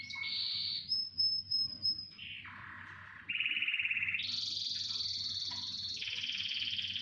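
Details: Canary chorus: the song moves through distinct rolled tours at changing pitches, with a high sustained whistle, a lower buzzy roll, a mid-pitched rattle, and then long, loud, even high trills.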